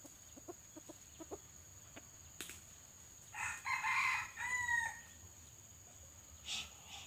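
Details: Pale, white-legged red junglefowl used as a decoy in a simulated trapping session to lure wild birds. After a few soft clucks comes one hoarse, multi-part crow of about one and a half seconds over a steady high insect hiss.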